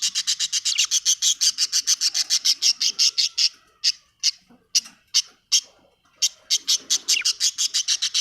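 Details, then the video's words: Happy budgerigar chirping: fast runs of rapid, high, sharp chirps, about four a second, with two brief pauses, bright and scratchy throughout. "happy budgie chirping sound"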